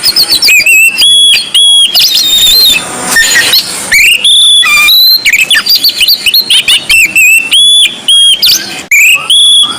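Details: White-breasted Oriental magpie-robin (kacer poci) singing in nonstop gacor ngobra style: loud, varied whistled phrases, sharp rising and falling notes and chattering bursts, delivered continuously with barely a pause.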